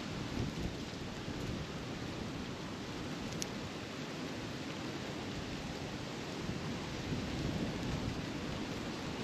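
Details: A steady broadband rushing noise, like wind or rustling, with slight swells and no animal calls.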